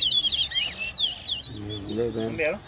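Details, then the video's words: Towa towa (large-billed seed finch) from Wessequibo competing in a whistling match at Tuschen bird ground, Guyana; a second of quick high slurred whistles, then a man's voice calling out counts. "WESSEQUIBO TOWA TOWA BIRD WHISTLING COMPETITION"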